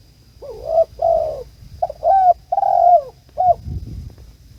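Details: Calling its companion, a spotted dove gives a run of low hollow coos, short paired notes leading into a longer falling coo and a final clipped note.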